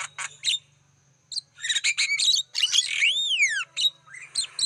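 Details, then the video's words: Lure sound of a Black-winged starling for wild birds: scattered chirps, then a cluster of harsh squawks and a long rising-then-falling whistled sweep, ending in rough buzzy notes. "Masteran Suara pancingan burung jalak kebo"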